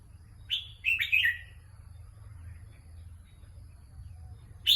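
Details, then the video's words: Red-whiskered bulbul, a competition songbird, opens with a lively burst of chirpy, slurred whistles lasting about a second, followed by near silence and a single sharp note at the very end. "ฝากเสียงไว้ในใจเพื่อนๆแล้ว สิงห์ดำจะกลับมา นกกรงหัวจุก นกแข่ง"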